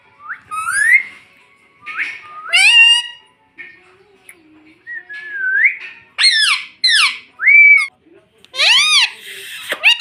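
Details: Pet baby Indian ringneck parrot, kept indoors, taught to say "mummy": a rapid run of nasal, harmonic squawked syllables mixed with short rising whistles, bursts coming every second or so.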